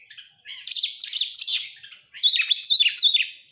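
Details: Song of an oriental magpie-robin, used to coax other birds into singing: dense scratchy bursts, a short pause, then a string of bright looping whistles.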